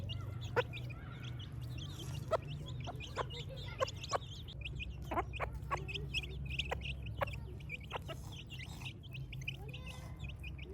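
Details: In a village at morning, chicks give high, brief chirps among many sharp clicking taps scattered through the recording, above a persistent low hum.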